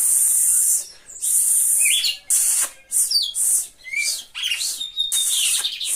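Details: Spirited red-cowled cardinal from Brazil's northeast giving short whistled notes, several sliding downward, in bursts separated by brief pauses, over a steady loud high hiss.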